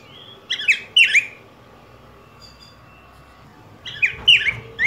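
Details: Two rich, whistled, warbling phrases from a yellow grosbeak, each a fast run of rising and dropping sweet notes, with a quiet gap between and a constant faint hum.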